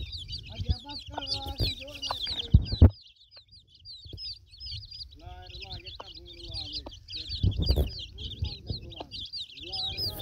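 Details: Broody mother hen with chicks at feeding: steady high-pitched chick peeping runs throughout, with the hen's low, soft harmonic clucks and a few sharp knocks. A low rumble sits underneath.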